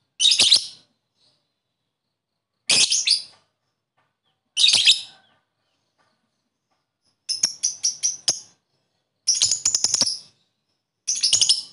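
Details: Lovebird chirping to encourage lethargic lovebirds to sing; spaced harsh high bursts, then quicker rattling runs of sharp chirps toward the end.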